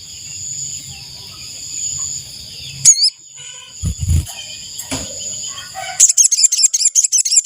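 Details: Ashy tailorbird lure call used to draw in wild birds: a quick run of high, sharp chipping notes at the end. Before it come a rising whistled sweep, low thumps and a steady high drone.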